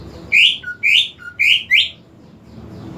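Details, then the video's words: Greater green leafbird, caged, singing four loud, bright rising whistles, each about a quarter second long, with short lower whistles between, then background hum. "CUCAK IJO TAK KUNJUNG BERKICAU"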